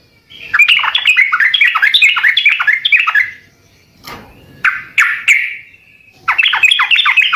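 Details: Sooty-headed bulbul singing in lively gacor style to set other birds answering: a dense run of chattering, looping notes, then a lull with a soft thump and a few clear calls, before bubbly chatter resumes.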